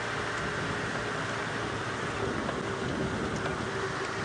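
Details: Dense steady vehicle roar and hiss fills the recording, with no animal sound heard.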